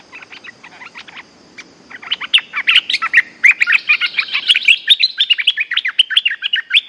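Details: Bulbul lure calls used to call back an escaped cage bird. Rapid, dense chirping and chattering notes, bright and high, building from scattered notes into a continuous excited burst.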